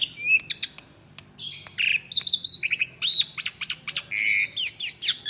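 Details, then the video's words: Captive Asian pied starling, a chirping bird kept for home chatter and for competitions, singing in full 'gacor mompa' voice: a rapid, clear jumble of whistles, squeaky upslurs and harsh chatter notes with barely a pause. "Jalak Suren Gacor Mompa Koar-Koar Suara Jernih || Starling Suren Gacor Mompa Crying Clear Voices"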